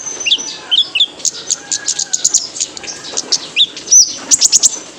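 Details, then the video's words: Male purple-throated sunbird, known locally as kolibri ninja, singing to stimulate kept birds: scattered thin whistled slurs, then a rapid run of very high ticking chirps, finishing with a bright flourish. "PANCINGAN KONIN JANTAN BIAR GACOR"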